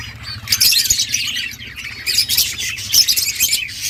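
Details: Budgerigar parents feeding chicks: loud raspy, wheezing bursts in two or three clusters, over a low background hum.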